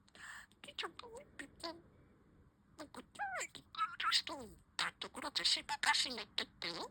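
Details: Budgerigar kept as a pet chattering: warbling, speech-like sweeps and bent notes that rise and fall, a pause of silence, then a denser run of scratchy trills and squeaks toward the end.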